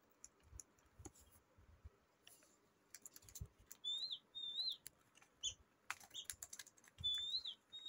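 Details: Tame budgerigars being fed give short, high, slurred chirps among sharp clicking and tapping sounds.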